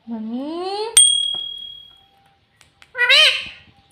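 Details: Talking pet parrot taught to say "mummy" and "papa", giving a rising, voice-like syllable, then a clear ringing ding that fades out, and one more short wavering word after a pause.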